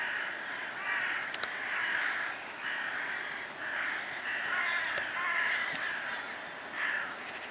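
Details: Many crows giving rough, grating caws in overlapping pulses roughly once a second, a continuous raucous din broken by brief louder bursts and a couple of sharp knocks.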